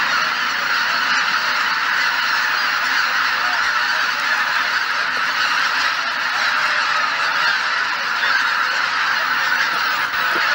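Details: A large flock of geese assembled at dawn at Shishibana, Izunuma, Japan, under thick cloud. Steady, unbroken wall of overlapping honking from countless birds, with no pause throughout.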